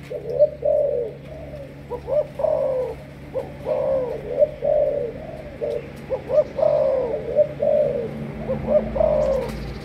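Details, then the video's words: Malaysian-type spotted dove, a captive decoy bird described as 'sấm thổ' and kept for training other birds. It gives repeated mellow, throaty cooing phrases of several hooted notes, some with a brief rising lead-in, spread through the clip over a low steady hum. "Lên em sấm thổ cho ae về tập mồi 2tr:0326267567.Cu gáy Malaysia"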